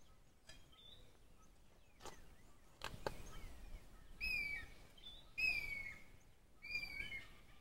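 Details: Bird singing below a steep cliff, heard from the clifftop on a handheld camera; clear whistled phrases sliding downward, repeated about every second and a half, with soft wind and scattered clicks.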